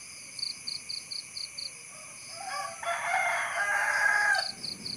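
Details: Rooster giving a harsh, noisy crow lasting about a second and a half, preceded by quiet tonal notes. Short high chirps repeat about four times per second before and after.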